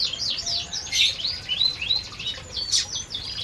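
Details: Canaries feeding together in an aviary: bright, high chirps and swooping downslurred notes overlap in a busy, uneven twitter, with a few sharper piercing notes standing out.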